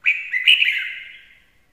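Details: Decoy red-whiskered bulbul singing a short, cheerful warbled phrase of quick slurred whistles that rise and dip, then tail away over about a second, with no other sounds.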